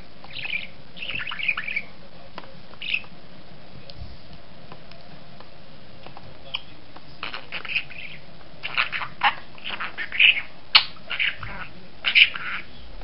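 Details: A talking budgerigar chatters in quick, scratchy bursts, imitating the Turkish phrase "sen çok tatlısın aşkım" ("you are so sweet, my love").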